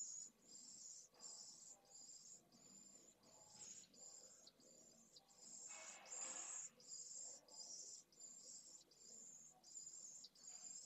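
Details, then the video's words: Pallid swift chicks begging for food at a nest in Jerez de la Frontera, Spain, 8 September 2022, from a live nest camera. Faint, high, buzzy hissing notes repeat steadily about every three-quarters of a second, over a low background murmur. "CHICKS ASKS FOOD.VENCEJO"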